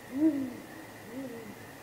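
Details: Night-time contact hoot from a great grey owl pair at their nest, 23 April 2019, around possible mating, on a live nest camera: one deep, soft hoot dropping in pitch, then a fainter answering hoot about a second later.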